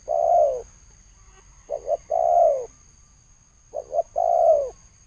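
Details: Loud, clear spotted dove cooing in the thổ sấm style: a long falling coo, then two phrases of a quick double note leading into a drawn-out descending coo, over a faint steady high tone.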